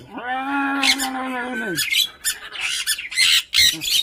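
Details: Angry tame Swainson's lorikeet kept indoors as a pet: a drawn-out, tonal, nasal note, then a rapid series of harsh, rasping squawks in irregular bursts, with Malayalam speech around it.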